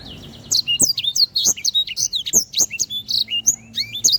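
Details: Lively canary (sanger) singing tutor material for training birds: a continuous run of loud, high, piercing whistled notes, mostly quick downward slurs with some rising ones, rapid and unbroken, over a faint low background hum.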